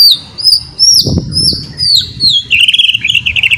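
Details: White-rumped shama in ngeriwik song style, used as a lure recording to stimulate shamas into steady singing: a run of high, clear whistled slurs, some upswept, then a fast, rolling trill lower in pitch to finish.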